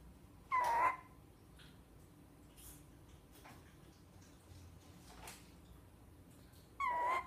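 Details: A tawny owl (Strix aluco) gives two short, sharp, slightly nasal calls about six seconds apart, with quiet background in between.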